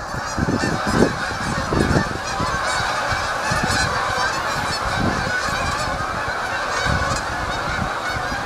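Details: Many geese in a flock calling at once, a restless stream of overlapping nasal honks with some low thuds early on.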